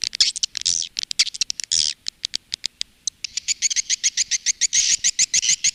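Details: Swiftlets, in a calling and roosting lure sound for Indonesian swiftlet farmers. Shrill chattering bursts open the passage. They give way to a fast run of short, sharp, high clicks, roughly three to four per second.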